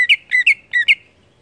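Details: Greater green leafbird giving a brief burst of ngeplong-style singing: five full, slurred whistles in two quick groups, each note swooping over itself, against a near-silent backdrop.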